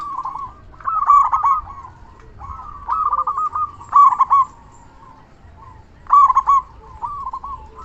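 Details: Local zebra dove calling strongly, a lure meant to make other zebra doves reply and raise breeding drive. Short bursts of quavering, rolling coos arrive in irregular groups separated by quieter gaps.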